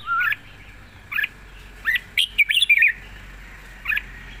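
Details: Single slurred notes from a red-whiskered bulbul lead into a fast burst of looping, bubbling whistles, part of a long light-voiced song with trilling.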